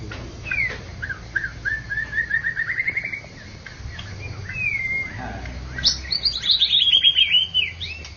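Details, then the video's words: White-rumped shama from Medan and Java, a bird contest winner, singing varied phrases: a rising series of repeated chirps, a clear whistled slur, then a bright, rapid descending trill, with faint low background noise. "Murai batu Medan dan Jawa Juara Satu Pemenang Lomba Bird Copsychus malabaricus Suara Burung"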